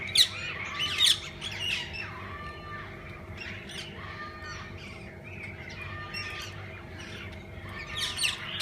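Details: Assorted parakeets in a walk-in zoo aviary where people feed and handle them; two loud scratchy squawks open, followed by scattered chirps, brief whistles and continuous soft twittering.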